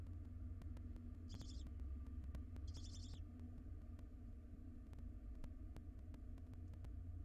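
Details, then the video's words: One-day-old wild barn owl nestling alone in a monitored nest box while its mother is briefly away gives two short, high hissing chitters about one and a half seconds apart over a steady low hum and faint clicks. "One day old barn owl nestling is alone for a couple of minute while Mom takes a stretch."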